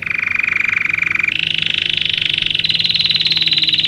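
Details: A Belgian canary sings to train canaries. A rapid rolling trill at middle pitch steps up to a higher pulsed tour, which rises gradually into a bright, evenly repeated high phrase.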